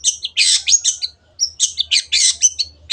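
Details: Cendet (long-tailed shrike) in energetic full song for bird training: harsh scratchy chattering bursts mixed with brief high whistles, fast and packed, with a short gap midway.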